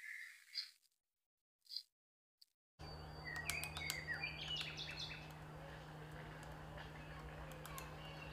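A woodpecker gives short, sharp, high chirping notes in quick irregular bursts, over a steady low electrical hum and background hiss.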